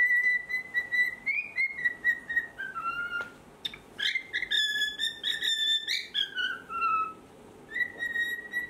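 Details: A four-year-old pet cockatiel sings in the morning, before its cage is opened so it can fly, singing from a high spot. Clear whistled notes hold a steady pitch, slide up and down, rise into brighter bursts midway, then settle back.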